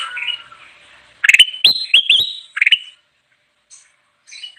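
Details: Ruby-throated bulbul singing energetically, used for luring wild birds: a low whistle, then three or four loud, clear upslurred notes with crisp clicks, followed by near silence and faint notes.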